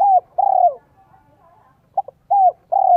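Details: Spotted dove decoy in a 'son, 1 cốt lỡ' voice style, cooing to lure wild doves: a quick double note, then two longer, low, descending coos, the phrase recurring after a pause; quiet background.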